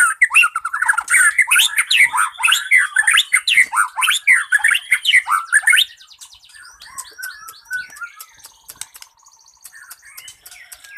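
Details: White-rumped shama song, full of imitated phrases and sung nonstop, used as a lure to get other birds singing: loud rapid warbled and chattering notes for six seconds, then quieter varied phrases.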